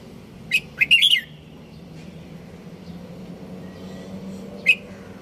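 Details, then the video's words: Red-whiskered bulbul gives a quick burst of bright, bubbly chirps, then one more short note after a pause, over a low steady hum. "Merbah Jambul"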